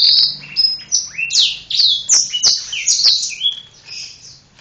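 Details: Singing black-throated canary (Serinus atrogularis), wings spread while performing; bright high warbling phrases of long whistled slurs and quick chirps, some notes rising, others dropping, flowing steadily with a faint low hum beneath.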